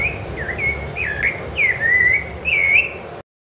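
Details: Rufous-bellied thrush (Turdus rufiventris), Ilha do Governador, Brazil, January 2013, singing melodious whistled phrases: short slurred notes followed by a downward sweep into a sustained whistle and a final rising-falling note, with no other sounds of note.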